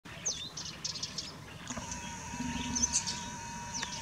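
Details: A feeding flock of common starlings at Espinhel, Águeda, Portugal, 26 January 2019, squabbling over seasonal food, giving a jumble of high chirps, clicks and whistles.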